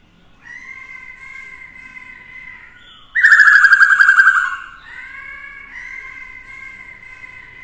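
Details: Black-throated laughingthrush in combative song beside a female: soft level whistled notes, then a loud, rich descending warble of quick pulses for about a second and a half, then quiet steady whistles resume.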